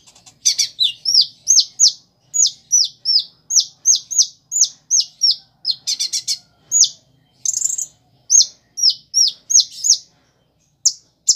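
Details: Long steady sequence of sharp, high downslurred chirps from a Van Hasselt's sunbird, roughly three per second with a few buzzy bursts, in an energetic song carrying imitations of prinia, sparrow and chick calls.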